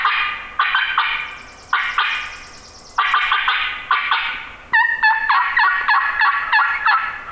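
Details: Wild male turkey gobbling downhill on a spring morning on Minnesota public land, the same roosted bird hunters set up on; loud rattling gobbles in several bursts, some with sharp yelping notes, each burst fading, quiet woods behind.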